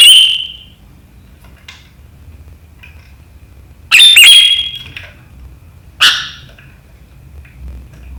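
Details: Sharp riwikan notes of a sooty-headed bulbul, dated 7 April 2023, said to set rivals chattering: an opening piercing note, then a doubled bright burst and one shorter note, with faint chips between.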